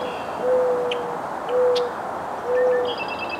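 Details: A Mourning Dove in North America gives its song, three soft, low, level coos, each about half a second long and a second apart, with faint high chirps from other birds in the background.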